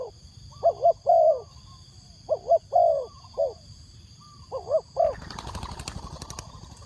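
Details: Decoy spotted dove calling wild doves with soft, hollow paired coos in short phrases, then a burst of clattering noise near the end, over a faint high whine.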